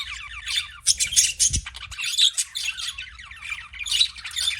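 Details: Budgie chatter of rapid, buzzy chirps and rasping squeaks in an unbroken high warble, with one brief low thump partway through and a soft background hum.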